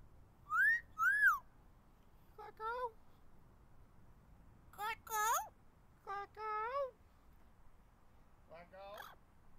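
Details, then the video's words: Captive blue-fronted amazon parrot perched in a backyard tree on a warm day, whistling and screaming its name: two rising-falling whistles, then several harmonic speech-like calls in short bursts with pauses between. "My Blue Fronted Amazon Parrot "Clecko" Talking and Whistling in my Backyard Tree"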